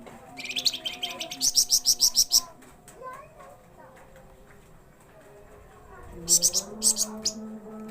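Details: A flamboyan bird, said to sing day and night, gives a long run of rapid high chirps, falls quiet, then adds a few short chirp bursts, amid low background tones and faint voices.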